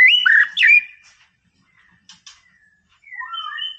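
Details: White-rumped shama singing to provoke a rival: a loud slurred whistled phrase, a quiet gap with soft clicks, then a descending run of clear whistles.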